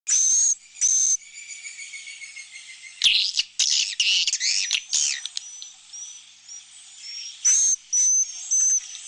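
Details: Swiftlet roosting call played inside a swiftlet house's roosting room, where birds sleep, nest and lay eggs, meant to sound like a nearby flock of chicks and adults. Mixed buzzy chirps, a dense chattering cluster midway, then thin rising whistles.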